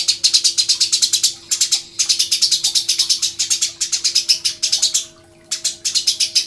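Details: Eurasian tree sparrow chirping almost continuously in long, fast series of harsh high notes with brief breaks, recorded as a master song for training songbirds; a low hum runs throughout.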